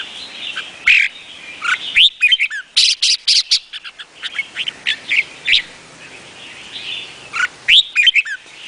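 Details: Vietnamese red-whiskered bulbul in a long bout of song. Bursts of sharp chirps alternate with rising and falling whistled slurs, in busy clusters separated by softer warbled passages.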